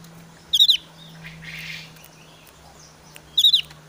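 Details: Highly excited Javan grey-throated white-eye in breeding season, calling to challenge rivals rather than whistling: two brief bursts of rapid, piercing high notes nearly three seconds apart, with a soft hiss and low hum between.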